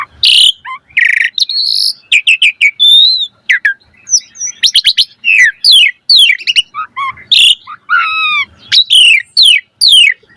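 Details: Asian pied starling pouring out gacor song packed with varied filler for training birds: loud harsh bursts alternate with tight clusters of rapid downslurred whistles, some short stuttered notes and a few rising sweeps.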